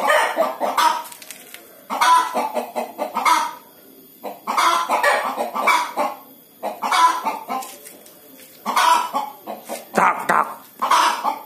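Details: Pre-laying hen calls in repeated bouts of rapid clucks, each burst ending in a louder drawn-out note, with quieter pauses between bouts.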